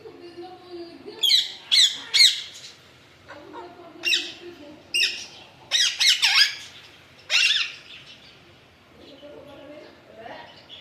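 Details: Alexandrine parakeet (Psittacula eupatria), apparently a pet indoors, gives harsh, grating squawks in short bursts, about ten calls over ten seconds, with faint indoor background sounds.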